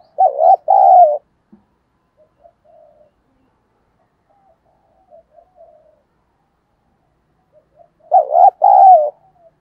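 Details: A spotted dove giving coos used to provoke fighting: a loud two-part phrase, a long gap filled by faint low murmurs, then the same wavering two-note coo again about eight seconds later.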